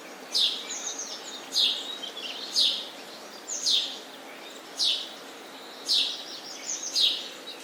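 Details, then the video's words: Sparrow chirping to attract sparrows home: sharp descending chirps repeated roughly every second, seven loud notes with softer twitters in between over steady low hiss. "Sparrow Chirping sound"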